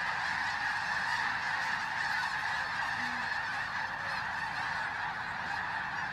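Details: A huge pre-dawn arrival of snow geese at Bosque del Apache, New Mexico, on a freezing morning, recorded on a phone. Massed honking fills the whole stretch as a constant, rough roar, with one short, clearer note midway.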